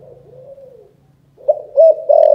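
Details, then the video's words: Spotted dove from Can Tho, Vietnam, in the 'chụp chụp ô' calling style. A faint, drawn-out coo over a low hum is followed after a pause by a loud burst of rising coo notes. "Chụp chụp ô gáy gọi Thái Vân hoa : Cu gáy Cần Thơ"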